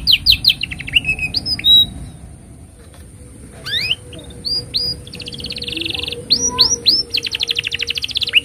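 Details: Canary singing tutor song for juvenile canaries: clusters of rising whistles, a rolling buzzy tour, and a closing fast, even trill of rapid clipped notes.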